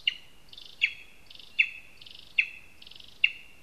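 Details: From a lesser spotted eagle nest in a spruce in Zemgale, Latvia: loud, clipped high yelps repeated about every three quarters of a second. Softer buzzy notes fill the gaps between them.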